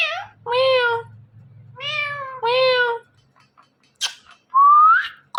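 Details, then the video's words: Indian ringneck parakeet talking, imitating words after a person speaks, with harmonic, nasal syllables in two bursts followed by a squeaky note and a clear rising whistle, indoors with a faint low hum. "Indian Ringneck Talking Parrot"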